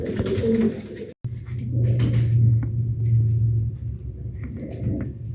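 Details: Pet pigeons during mating and nesting: a deep, drawn-out rumbling coo held for about two seconds, then repeated after a short break, over a steady background hum.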